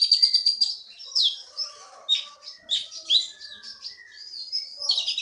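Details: Prize-winning bird taken from the Bangka forest singing continuously: a rapid tumbling stream of high twittering, chattering and whistled notes with quick pitch slides.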